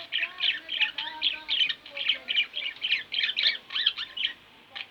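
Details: Two pet budgerigars kept at home chatter in a dense run of short chirps and warbles, notes packed closely with brief pauses, bursts roughly every third of a second, with faint lower tonal murmurs beneath.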